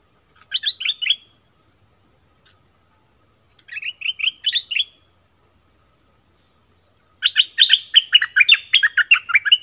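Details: Song of an Orange-headed thrush, played to attract wild birds and train young ones: two short bursts of three or four sweet, dropping notes, then a longer, busier rush of tumbling warbled notes.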